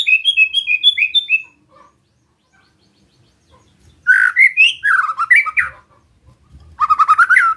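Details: White-rumped shama in a relaxed besetan session to rile other shamas: a descending string of clear whistled notes, a long pause, then a loud varied warbling phrase, and finally a quick series of repeated rising notes.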